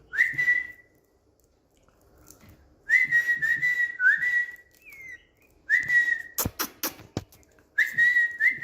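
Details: Pet Indian green ringneck parrot whistling on a bed: repeated level whistled notes in bursts, a brief sliding squeak, and a few sharp tapping clicks in the middle.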